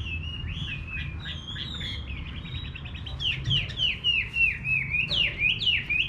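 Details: Chinese hwamei singing in a village garden: soft whistled notes at first, then a quickening loud series of repeated downslurred whistles, nearly four per second, over a low rumbling background.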